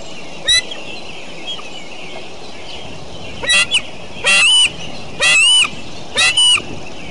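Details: Decorah eagles calling on a morning in late June 2012: after a quiet start, four rapid bouts of shrill, stuttering chatter with bending whistled notes, over a constant hiss of background noise.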